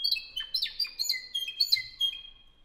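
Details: Spanish Timbrado canary, 2015 bird of a song club in Albacete, Spain, singing a short burst of metallic clicks and slurred whistles that settles into a sustained pure whistled note, with a faint low thump.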